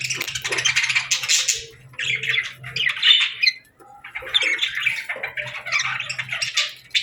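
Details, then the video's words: Parakeets chirping in summer, a busy flock of harsh, buzzy squawks and chattering chirps in overlapping bursts, with short pauses between, and a faint low hum underneath. "Parakeets Chirping Sounds"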